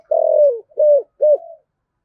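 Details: Spotted dove cooing in the 'giọng thổ' style, aimed at prompting wild-caught doves to call. One long drawn coo sliding downward, followed by two shorter arched coos.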